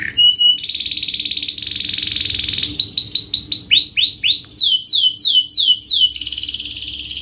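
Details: Fast, tightly packed canary song meant as a training lure for young birds learning to sing: rolling buzzy trills alternate with series of quick upward-curving whistled notes, changing pattern every second or so, loud and continuous throughout.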